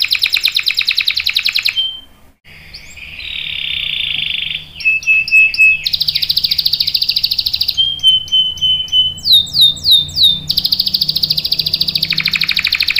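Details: Singing canary with a long roll, used as a tutor for young birds: fast trills, a brief pause, a flat sustained whistle, buzzy notes, clicking sweeps, then a return to rapid high rolling trills.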